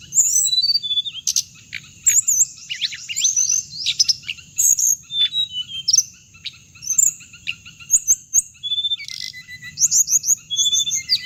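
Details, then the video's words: Hồng hạnh, a bird whose sound is played through a speaker to draw birds into traps: busy run of high, sweeping chirps and trills, fastest near the start, then scattered twitters, over a steady shrill background tone. "tiếng chim hồng hạnh âm thanh để bẫy loa"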